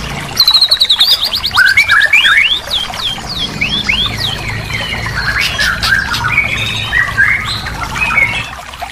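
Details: White-rumped shama song as a therapy recording to make a silent bird sing again: opens with a fast rattling trill, then sweeping slurred whistles and chattering notes at varying pitch, steady background hiss.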